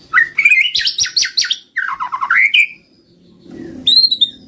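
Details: White-rumped shama lure song used to attract birds: fast rattling series of rising notes, then slurred whistles and a high descending whistle after a pause, with faint low background hum.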